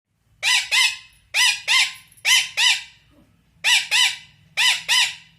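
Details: Angry Indian ringneck parrot scolding: harsh, loud squawks given in pairs, five pairs in about five seconds with short gaps between, over a faint low hum.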